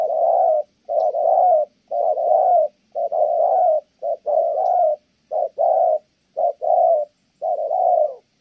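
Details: Spotted dove from Kon Tum giving continuous thổ âm coos: low paired hooting notes, short then long, repeated steadily for several seconds with little else heard.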